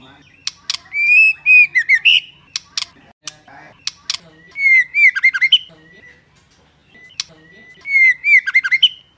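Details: White-rumped shama hen singing to stimulate males: three bursts of rapid, rich whistled phrases rising and falling, separated by pauses and scattered sharp clicks.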